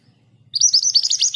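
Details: Kept Scarlet minivet, locally mantenan gunung (Pericrocotus flammeus), delivering a rolling 'ngerol' song at an even pace: a brisk run of high, sharp, rising whistled notes starting after a brief quiet pause.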